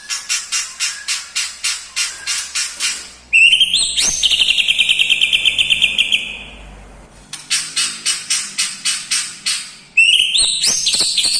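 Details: White-rumped shama song full of imitated fills of lovebird, "kapas tembak" and "cucak jenggot": high chips repeated about four per second, then a long harsh buzzing stretch, a pause, and renewed rapid high chipping.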